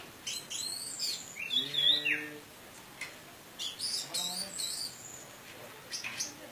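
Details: Orange-headed thrush in Indonesian teler style, used as a lure to raise birds' emotion. It gives clustered bursts of high chirps and whistled phrases, with a brief lower harmonic, buzzy note in between, in irregular rapid groups.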